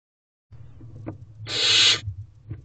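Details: Barn owl owlet in a nest box at 8:35 pm on 5/2/23, starting to work on a rodent: one harsh, broad, breathy hiss of about half a second, with soft rustling and thumps from movement in the box before and after.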